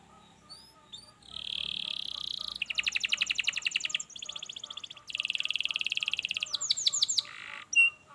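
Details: Quieter canary song for stimulating a lazy canary: a short buzzy note, then long rapid rattling rolls, a steady trill and a few swift downslurred notes, over a faint low hum.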